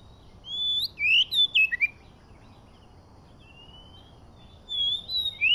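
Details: Oriental magpie-robin of the Medan variety, used as a lure for trapping, sings short bursts of high, sweeping whistled notes twisting up and down. Gaps of a few seconds separate the bursts, with a faint thin whistle between them and low background hiss.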